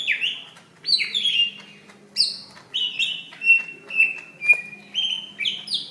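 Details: Greater green leafbird fighting call, recorded in May 2016, used to provoke other leafbirds into singing and as a training model: loud slurred whistles dropping in pitch, then a run of sharp, clipped high notes at a quick, uneven pace.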